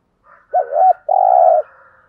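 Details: One spotted dove phrase, a 'thúc gù' lure song used to provoke wild birds into answering. A short wobbling two-note coo leads into a sustained, even, low coo with a faint echo-like tail.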